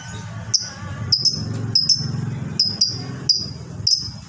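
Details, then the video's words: Fighter lovebird giving the long 'ngekek' chatter, used as a training recording: sharp, high, ringing chirps in short bursts roughly every half second, over a steady low hum. "masteran burung lovebird ini bisa membuat lovebird manapun ikut bunyi"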